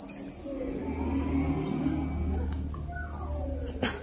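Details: A Scarlet-headed flowerpecker (Dicaeum trochileum) sings an energetic lure song of rapid, very high, thin tsip and tsit notes, several each second, some sliding downward, over a faint low hum.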